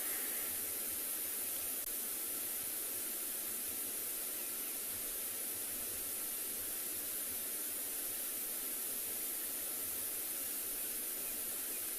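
Only a steady, even hiss of broadband static is heard, with no animal calls.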